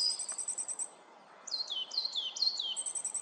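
Coal tit giving very high, thin rapid twittering notes, then a quick series of four or five sharply down-slurred whistles, against faint background noise.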